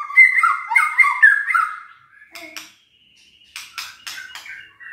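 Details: White-rumped shama in captivity, song to spur lazy birds into singing: a quick run of warbled notes, a pause, then a thin steady whistle among harsh clipped bursts.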